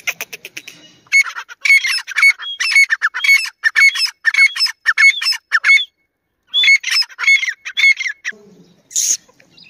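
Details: Grey francolin from a compilation comparing Dakni and Irani types: loud, harsh repeated notes with strong overtones, given in bursts of quick phrases, a pause near six seconds, then more calls and a brief different noise at the end.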